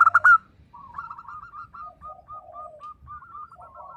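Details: Local zebra dove in 'nembak' song meant to stir silent doves to sing: one short loud burst, then a quiet string of evenly spaced coo notes and a soft rolling phrase.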